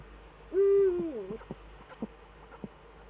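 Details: Eurasian eagle-owl in the Eifel, 11 March 2013, evening, with both owls present again: a single level harmonic call that bends down and trails off, followed by a few scattered clicks.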